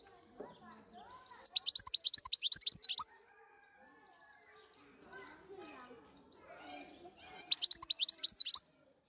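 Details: Wild European goldfinch singing: two bright bursts of rapid, tinkling high notes, about a dozen sharp notes in a second and a half each, separated by quieter lower voice-like sounds.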